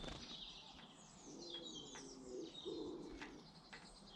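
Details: Garden birds in Britain: bright, high twittering and sweeping chirps run almost continuously, over a soft low cooing murmur midway through and steady outdoor background hiss.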